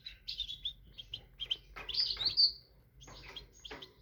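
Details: Tit singing a rapid chattering series of high chirps leading into a bright rising sweep and a cluster of sharp notes, then more spaced chirps.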